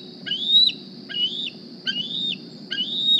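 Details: Four shrill rising squees with sharp downward ends come from young bald eagle D36, which flew to the Decorah nest this morning looking for a meal, with a low background drone throughout.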